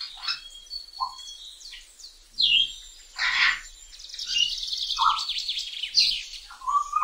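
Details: Several wild African grey parrots give short, low, clear whistles mixed with harsh rasping squawks and high chatter, about once a second.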